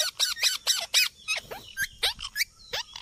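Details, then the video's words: Parrots calling in a natural outdoor setting, giving a rapid series of harsh, screechy squawks, about five in the first second, then more spaced, rising shrieks. "Natural Parrot Sounds"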